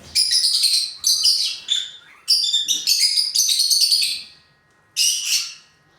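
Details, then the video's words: Lutino lovebirds, small pet parrots, giving shrill, high-pitched chattering chirps in dense bursts of about a second each, separated by short pauses, with a final shorter burst after a brief silence. "little love birds soo cute | love birds | lutino love birds"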